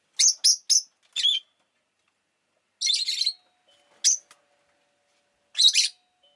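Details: Rosy-faced lovebird calling a quick run of four piercing chirps, then a longer grating chatter, a lone chip, and a final raspy double note.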